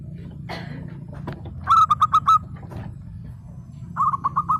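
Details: Active local zebra dove: a soft rustle, then a tight string of five rolling coos, and after a gap a fainter second run of quick, even notes over low hum.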